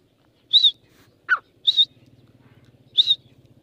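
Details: Male francolin of a new Irani-Deccani mix, kept with a female, giving three short, sharp high notes about a second apart, with one quick falling note between the first two, over a steady low pulsing hum.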